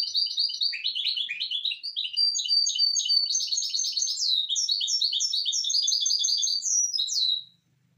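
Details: Hybrid misto singing on a tutor tape meant for teaching young birds: a long, fast run of bright chirps and trills, with sweeping whistled notes and buzzy rolls, steady for about seven seconds before stopping.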